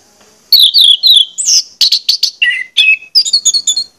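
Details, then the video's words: Lure song of an orange-headed thrush: after half a second of quiet, a fast, varied sequence of high descending whistles, buzzy chips and warbled notes that runs on without a break. "pancingan anis merah ini bakalan bikin gacor jika di putarkan"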